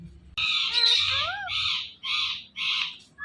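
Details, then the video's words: Indian ringneck parakeet giving natural sounds: loud, harsh, raspy screeches with a wavering tone inside, the first long, then three shorter ones evenly spaced about half a second apart. "Ringneck Parrot Natural Sounds"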